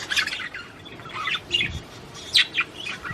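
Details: Short burst of Australian budgerigar song for encouraging mating: a few scratchy chirps and a sharp rising squeak, separated by quiet pauses.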